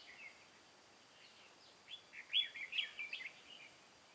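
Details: Red-whiskered bulbul kept as a decoy for trapping wild bulbuls, recorded 23 August 2018 in Vietnam: after quiet, one short burst of bright, warbled whistled notes in the middle, then fading.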